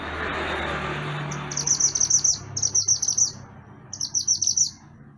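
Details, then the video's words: Pied bushchat, called mantenan gunung, singing energetically on a master track for songbird training. It delivers three bursts of high, rapid, buzzy trilled notes, each under a second, separated by short pauses over a soft hiss. "Mantenan Gunung Gacor Burung Masteran Untuk Burung Kicau"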